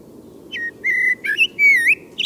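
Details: A Common Blackbird singing at night, possibly after midnight, gives a few mellow, fluted whistled phrases, some sliding and warbling, over a low steady background hum.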